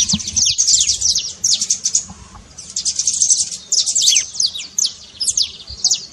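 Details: Trilled saffron finch song meant to fire up a silent canary, made of dense runs of sharp, high downward-sweeping notes in clustered bursts separated by short pauses.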